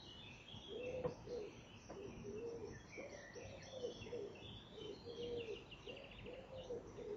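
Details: A stock dove settling onto its egg in a nest box at 08:18 on June 4, 2014, gives low, hollow two-part coos, repeated roughly every second and a half, while small birds twitter faintly in the background.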